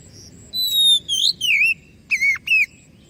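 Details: Oriental magpie-robin song used to provoke other birds to reply: a long, pure whistle followed by wavering, slurred whistled notes and two short, dipping phrases, with a steady low hum underneath.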